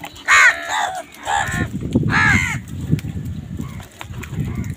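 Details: Crows fighting with wild birds over food give loud harsh caws, two strong calls near the start and another around two seconds, over a low rumble of background noise and fainter calls later.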